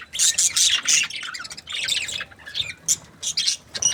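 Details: Pair of breeding budgies, described as happy, with loud rapid chattering chirps and squawks in quick bursts, a brief softer dip midway, then more sharp high chirps.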